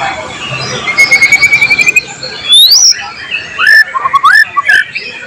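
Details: White-rumped shama in full song, used as a tutor recording with mimicked material from other birds, July 2023: a fast buzzy trill, then rising whistles and short slurred notes in bright bursts.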